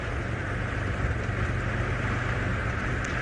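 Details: A steady low vehicle engine rumble with faint outdoor ambience; no animal calls are heard.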